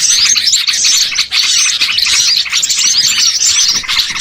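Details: Small birds in a busy lure chorus for catching birds: a thick wall of shrill twitters and quick whistled chirps runs throughout, with one brief lull near the middle.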